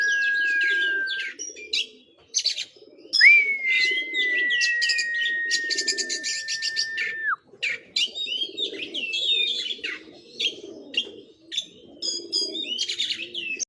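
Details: An oriental magpie-robin runs through its song repertoire, holding one long steady whistle for about four seconds, then switching to rapid chattering and buzzy slurred notes, while low cooing continues underneath.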